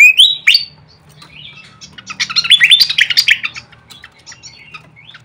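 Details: Lure call of a flycatcher: two sharp rising whistles open, followed by a brief pause, then a dense chattering cluster of high, bright chirps and buzzy notes that fades into scattered ticks.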